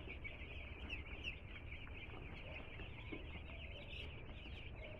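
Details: Many two-day-old chicks peep together after arriving at a home, an unbroken stream of short shrill chirps over a soft low rumble.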